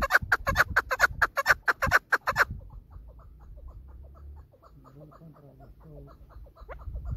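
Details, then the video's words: Female chukar producing a loud, fast burst of harsh repeated notes that stops abruptly, followed by softer scattered chuckling notes and faint background murmur. "my bast shikari female dasi madi awas keklik sesi chakor birds zirk teter ki awaz"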